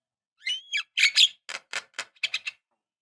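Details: Lure recording of a female Javan myna calling a male: a whistled slur, loud squawky notes, then a series of short scratchy chirps.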